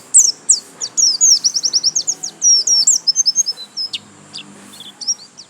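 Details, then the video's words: Pleci white-eye delivering gacor lasroll song: a fast, rattling chain of very high, short downslurred chirps, slowing and thinning out near the end, over a faint continuous high whine. "Pleci Gacor lasroll"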